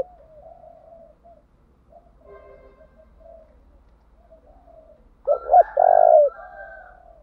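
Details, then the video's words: Spotted dove used as a decoy, cooing to provoke wild doves into calling back. Faint, soft coo notes come first, followed by a sudden loud, burry double coo near the end. "Tiếng chim cu gáy thúc bảo đảm bổi nghe gáy liền, chim cu gáy mồi đảo bài liên tục"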